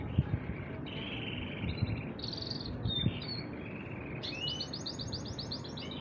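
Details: Two male canaries singing in turn without stopping: a varied run of rolling trills that shifts between pitch levels, ending in a brighter, faster bubbling trill, over a steady low hum.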